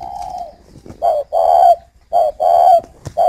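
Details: Caged male-role breeding spotted dove (chim cu khách) in Ba Vì, Hanoi, cooing at a female: a falling coo, then two clear pairs of coos, a short note followed by a sustained mellow note, and another starting.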